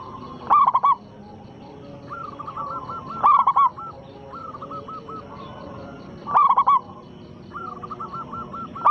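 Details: Loud-voiced local Zebra dove singing as a lure to provoke rival doves into song. Punchy bursts of hollow, stammered coos recur roughly every three seconds, each followed by a quieter rolling, bubbling series of notes over a steady low hiss.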